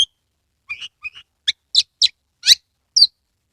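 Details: Caged Oriental magpie-robin from Kebumen, Central Java, singing energetically and spreading its tail, used as a lure to prompt silent birds: sparse high chirps and short whistled notes, about eight in quick irregular succession, no background sound.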